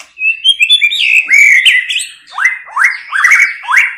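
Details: A white-rumped shama in the female 'tạch líu' voice that excites males to fight: a lively string of varied whistled and warbled notes, then several rising upslurred whistles about every third of a second.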